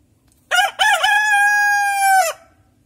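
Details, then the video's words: Rooster crowing from five in the morning: one loud crow with two short clipped opening notes, then a long, steady, sustained note of nearly two seconds ending in a quick drop; the background is quiet. "Səhər saat 5-dən xoruz banlayır"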